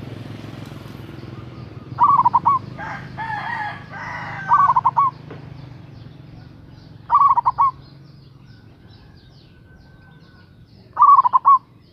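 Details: Local zebra dove with a big voice, its call said to provoke rivals, repeats four stuttering coo phrases at irregular gaps of two to four seconds. A short burst of rattling noise sits between the first two phrases.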